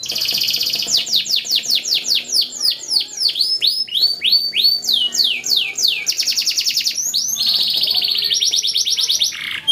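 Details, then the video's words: Yellow canary singing fast: a varied run of rapid trills and repeated descending whistled sweeps, changing phrase every second or two, loud and continuous throughout. "Yellow Canary Singing Training Makes Your Canary Fast Singing Beautiful and Rocking"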